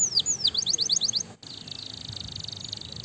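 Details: Canary song meant to excite other canaries: high swooping whistles and a burst of fast chips, a brief break, then a soft steady high trill.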